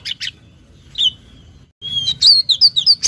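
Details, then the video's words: Oriental magpie-robin (kacer) lure sound: a run of bright, clear whistled notes, some sliding and warbled, in quick phrases near the end after a sustained high whistle. "suara pancingan burung Kacer"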